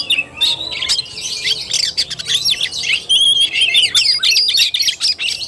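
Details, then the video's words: Oriental magpie-robin giving fighting-style tarung song on 17 August 2021. Harsh squawky notes mix with clear high whistled slurs in a fast, nearly continuous outpouring, about 125 notes a minute. "KACER TARUNG"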